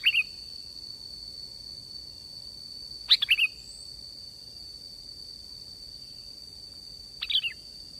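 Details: Sooty-headed bulbul recording used as a lure for trapping: three brief, bubbly whistled phrases, falling and warbling, near the start, after three seconds and near seven seconds, over a steady high-pitched hum.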